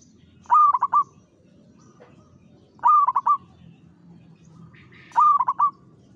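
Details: Zebra dove of local stock, an eager singer, gives three gentle rolling coo phrases at steady intervals, each a stretched opening coo followed by clipped trilled notes.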